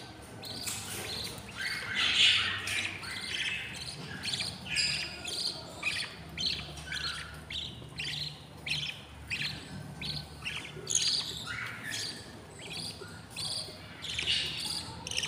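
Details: Six hungry budgerigar chicks in the nest of a breeding pair, day 20 after hatching: a busy stream of short, harsh, high chirps and rasps in quick irregular bursts, several chicks calling over one another.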